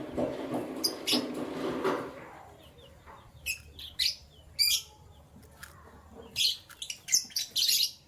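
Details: Canaries in the morning: a rushing, rustling noise fills the first two seconds, then short, high chirps and twittering bursts follow in irregular groups.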